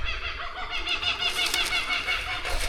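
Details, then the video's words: Kookaburras on a rural Australian horse stud with vegetated, rocky paddocks, several in a full laughing chorus of loud, continuous cackling, rapid rising and falling hoots, over low wind rumble. "For people who aren't in Australia, that's kookaburras going crazy and they're laughing."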